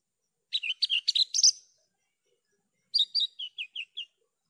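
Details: Javan bush lark song in two bursts: a dense scratchy jumble of chirps and high whistles, a pause of over a second, then a falling series of short clipped notes. No other sounds.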